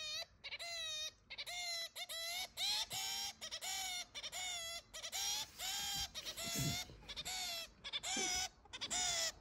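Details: Zebra finch kept as a house pet for six months, calling insistently with a long series of nasal, buzzy honks, one to two per second, some clipped and some drawn out.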